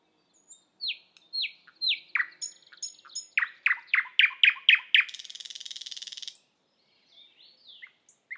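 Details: Estonian thrush nightingale delivering loud, downward-sweeping notes repeated about twice a second. They speed into a fast series of throaty chocks, followed by a dry, buzzing rattle and scattered soft notes.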